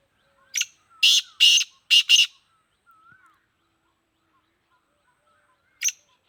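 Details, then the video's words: Captive black francolin of the Sindhi kind, locally called kala teetar: a short note, then three loud, rough, buzzy bursts in quick succession, a pause of several seconds, and the call starting again; faint wavering whistles are heard between. "Kala teetar sindhi || black francolin //sweet voice"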